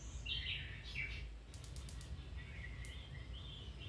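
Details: Domestic canary singing, played as training to get a canary to start singing again or improve its song: short bright twittering trills early on, then softer high notes over a steady low background hum.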